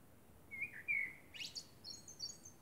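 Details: A common blackbird sings at night under the moon: a mellow, fluted phrase breaking into a thin, high, squeaky twitter, over faint background hiss.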